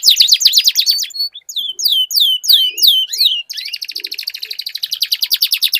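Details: Duel between canaries with a long rolled song: quick descending notes, a pause, a set of distinct swooping whistles, then an even, rapid rattling trill running to the end; a soft low cooing sound heard briefly.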